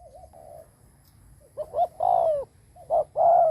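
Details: Cooing decoy spotted dove used to lure wild birds, starting with faint wavering notes, then loud short-long coo pairs, the long notes sliding gently downward.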